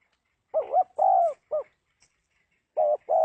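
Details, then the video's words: Cooing of a spotted dove, a wavering first note followed by a longer sustained coo and a short third note, then the phrase starts again; otherwise quiet. "tiếng chim cu gáy Độc Lạ"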